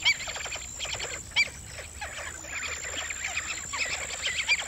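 Three sharp, high yelping notes from a black-winged stilt at irregular intervals, over a dense bed of chattering birds and a steady high insect whine.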